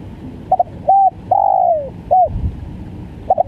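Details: Spotted dove, stuttering 'gagap' call: a brief double note, short coo, a long descending coo, then a short coo, before the next phrase starts; low hollow tones, faint noise.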